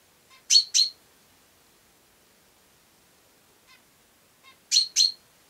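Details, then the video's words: ['House sparrow repeating sharp doubled chirps: a loud pair near the start, a faint tick midway, then another loud pair about four seconds later, with little else audible.'] "Serçe Kuş Sesi"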